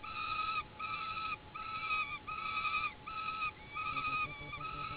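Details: Peregrine falcon chicks at an oak nest platform during feeding, uttering a rhythmic series of sustained, whining notes rich in overtones, about every half second, with a faint steady hum in the background.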